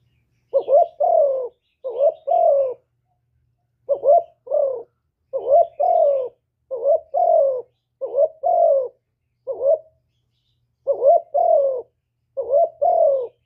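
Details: Spotted dove singing the full hạp bổi song, calling, urging and cooing, to get decoy doves singing; rhythmic doubled coos, a short upward note and a longer falling one, repeated roughly every second in a clean recording.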